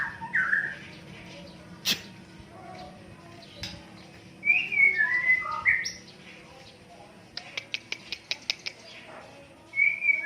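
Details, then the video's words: White-rumped shama training song used as a tutor recording, a varied mix of whistled slurred notes near mid pitch, a quick series of sharp ticking clicks, then a final whistle, over a faint low hum. "MASTERAN MURAI🔥 SUARA BURUNG MURAI"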